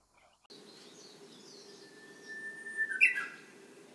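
Japanese bush warbler song: a long, steady whistled note, then a sudden bright flourish, the classic 'hō-hokekyo', over a low steady hum and faint distant chirps.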